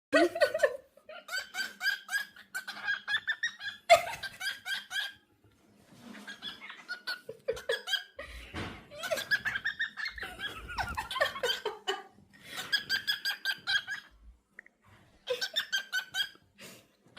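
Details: A cockatiel at play sings in bursts of harsh, chattering notes mixed with clear, rising whistles.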